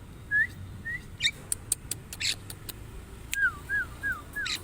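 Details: Javan myna song of short upslurred whistles, sharp clicks and rasping bursts, ending in four quick downslurred whistled notes.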